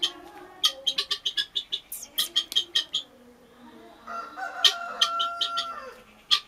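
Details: Guinea hen calling: rapid series of sharp, harsh clicking notes repeated several times a second, then a pause and a rising, nasal drawn-out call with more sharp notes after.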